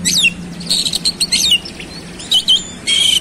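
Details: Oriental magpie-robin (kacer) in rapid 'roll speed' song with mimicked fill phrases: descending whistles, a quick burst of chattering notes, short pauses, then loud buzzy whistled bursts.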